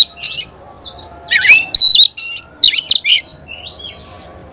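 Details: Oriental magpie-robin in gacor song said to rile other magpie-robins. Varied, separate phrases follow one another: harsh rasping notes, clear slurred whistles and thin high tones, with pauses in between.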